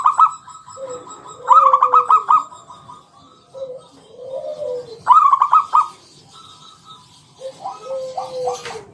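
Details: Local zebra dove calling in ngalun style with a round kung note, used to coax other doves into singing. Loud pulsed coo trills recur every three to four seconds, each followed by a lower, falling, arched coo.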